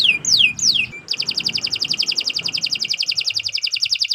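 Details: Song of a canary, meant as tutoring material for cage birds: two or three looping downslurred whistles, then a long fast trill of crisp repeated high notes.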